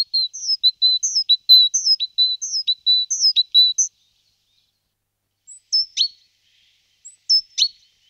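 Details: Great tit (Parus major) singing a rapid run of high two-note phrases, sharp notes alternating evenly for about four seconds, then a pause and a few scattered separate chirps; no other sounds.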